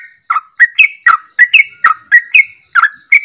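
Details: Lively singing yellow-vented bulbul, a call recording meant to make silent bulbuls sing again: loud bubbly whistled notes in quick short phrases, each sliding up or down, repeated without pause against a silent background.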